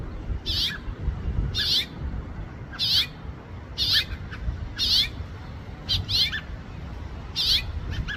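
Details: Repeated sharp chirps from a house finch, about nine brief notes coming roughly once a second, each slightly slurred downward, with constant low rumbling noise underneath.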